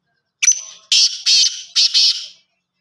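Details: Black francolin (kala teetar) calling: one short sharp note, then four loud, harsh, rasping bursts in quick pairs over about two seconds, with silence before and after.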